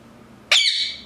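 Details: Pet Indian ring-necked parrot indoors in a small room giving a single loud, harsh squawk that starts abruptly and trails off over about half a second, with a faint low hum behind it.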